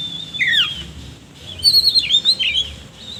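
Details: Oriental magpie-robin singing with rough filler phrases, kept bird: a descending sweeping whistle, a short gap, then a run of quick wavering high notes and chirps.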